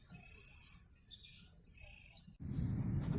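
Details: Oriental magpie-robin, a local West Javan bird, gives two long, steady, high whistled notes with bright overtones, separated by a softer note, then a burst of rough broadband noise.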